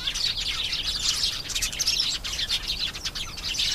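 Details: Canary song of dense, high twittering and fast trills, steady and continuous throughout.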